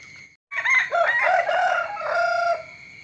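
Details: Morning rooster crow, a long, powerful call of about two seconds beginning abruptly after brief silence, with a rough middle and a sustained final note that falls away, over a steady high hum.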